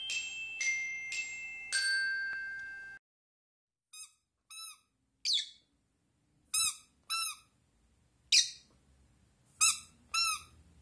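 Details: Pet blue rosy-faced lovebird indoors chatting back to a toy duck: about three seconds of steady squeaky tones, then a series of short, bright, harmonic chirps spaced irregularly, some single and some doubled, in a quiet small room.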